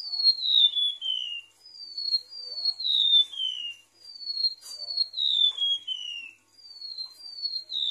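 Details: Lure recording of a golden-bellied gerygone singing. Three phrases of clear, high whistles each slide downward in a falling cascade of two to four notes, with a faint click or tap between phrases.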